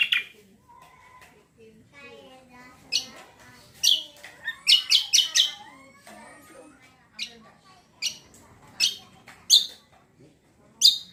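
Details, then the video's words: Cucak kombo, the greater green leafbird, giving a varied lure song to draw replies from other birds: scattered sharp chips, twittering trills and squeaky phrases, with a tight cluster of loud notes midway. "PANCINGAN BURUNG CUCAK KOMBO KECIAL KOMBO BAHAN MANAPUN LANGSUNG NYAUT"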